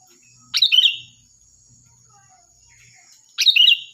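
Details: Loud, shrill sooty-headed bulbul song meant for training other birds: two crisp, bubbling phrases about three seconds apart, separated by quiet faint low rumbles.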